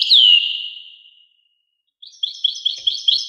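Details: Brief goldfinch fragment: the tail of a clear downslurred whistled note fades out, followed after a short silence by a quick, high, twittering trill.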